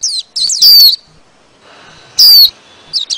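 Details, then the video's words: Short burst of white-eye flock calling used to lure birds: a few thin high chirps and a loud harsh note, a pause, another harsh note, then two faint tweets. "Tiêng chim khuyên gọi bầy"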